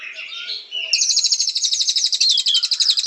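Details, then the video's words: Song of the white-rumped shama: a short warbled opening, then a fast, even, high-pitched rattling trill of about eight pulses per second that continues to the end. "Beautiful Birds Chirping Murai Batu"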